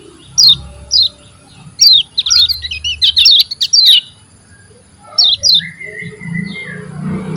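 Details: Oriental white-eye song: high, thin, downslurred chirps in pairs, then a quick jumbled twittering burst and a few more paired chirps, ending with a flat drawn-out whistle.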